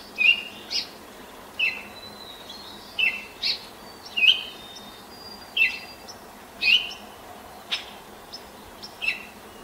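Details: At sunrise on 10 May 2024, a Baltimore oriole sings from a neighbour's apple tree at 5:40 a.m., hopping and pecking; a run of brief whistled phrases about every second, other birds' faint high notes in the background.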